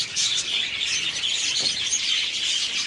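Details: Many budgerigars kept in a breeding colony produce a steady wall of shrill, overlapping chirps and scratchy warbles, with no pauses.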